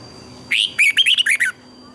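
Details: Red-whiskered bulbul singing as a lure for training caged birds: a loud one-second phrase of rapid, slurred whistled notes, beginning with a rising note and followed by about five quick warbled syllables, against a quiet background.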